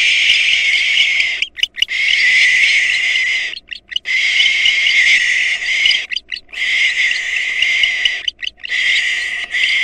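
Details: Barn owls at a nest where a female intruder attacked nestlings and the father fought her off: long harsh hissing screeches, each lasting about two seconds, separated by short gaps.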